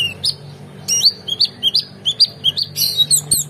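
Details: Oriental magpie-robin singing a rich repeated phrase, used to train contest songbirds: rising whistled notes about three per second, ending in a scratchy high chatter, with a low hum beneath.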